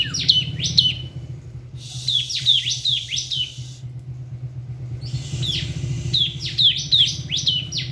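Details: Bar-winged prinia, ngebren song: scattered high chirps with whistled, downward-curving endings in short clusters, partly masked by bursts of hissy noise and a continuous low rumble.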